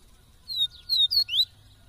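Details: A caged male Double-collared seedeater from Brazil sings three or four quick, clear whistled slurs, each sweeping down or up, separated by brief gaps over a quiet background.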